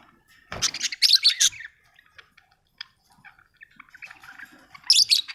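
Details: Budgerigar giving two loud bursts of rapid, rasping chirps, one near the start and one at the end, with quiet soft twitters in between.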